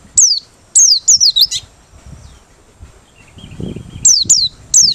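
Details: White-eye from Merapi, singing open-beaked, kept as a lure bird; clear high descending whistles with wavy tails come in rapid clusters, a gap, then another group of the same notes.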